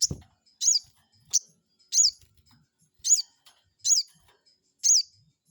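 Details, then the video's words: Crested jay provocation call for luring a rival: loud, high, sharply down-slurred notes repeated at even intervals of about seven-tenths of a second, six or seven in all. "pancingan burung sogon bikin emosi lawan,,bikin lawan langsung nyaut"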